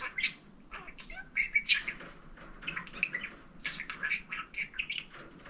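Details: Male pet budgerigar chattering and talking: busy stream of high, raspy warbled notes, chirps and mumbled speech-like sounds with brief gaps, over a soft background hum indoors.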